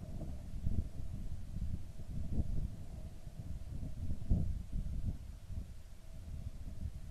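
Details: Gusty outdoor wind buffets the microphone in a low, uneven rumble, with no animal voice.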